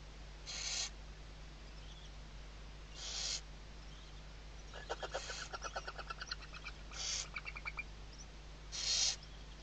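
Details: Western barn owl on a 2023 season webcam at Riet Vell Nature Reserve, Ebro Delta, Tarragona, Spain, morning: five harsh hissing screeches roughly two seconds apart, with a burst of rapid clicking pulses in between, over a low hum.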